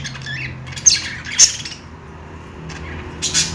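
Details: Budgies playing give a handful of sharp, high squawks and short chirps, two loud notes close together, then a quiet pause before a final burst of chatter.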